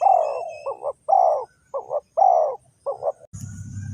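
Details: Decoy spotted dove from Ninh Thuận, Vietnam, calling to lure wild doves toward a trap: a loud, close series of deep, throaty coos alternating long and short, about six notes, ending in a burst of rustling noise.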